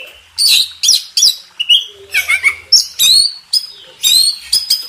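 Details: Master song of a champion contest Oriental magpie-robin: varied whistles, slurred downward notes and harsh squeaky bursts, delivered in rapid phrases.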